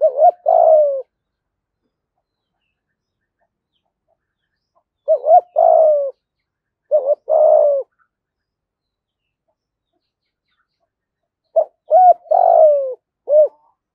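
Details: Spotted dove decoy cooing in 'giọng thổ' style to lure wild doves: phrases of a short note, an arched hoot, a long falling coo and a closing hoot, repeated at uneven gaps of several seconds.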